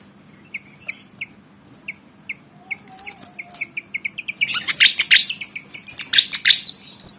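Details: Aggressive Javan fantail, black and white, about 19 cm: spaced sharp chips speed up into dense, excited chattering with rough, scratchy bursts toward the end.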